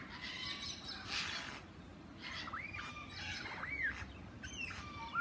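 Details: Lyrebird at Healesville Sanctuary, Melbourne, Australia, possibly 'talking' to an Englishman: several loud, swooping whistled notes, each rising then dropping, given in quick succession after a burst of broadband hiss, over a steady low background rumble.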